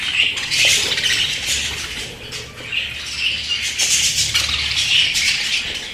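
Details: Loud, busy chatter from pet budgerigars: rapid squeaks, whistled chirps and scratchy warbles overlapping without pause, with a faint low hum behind.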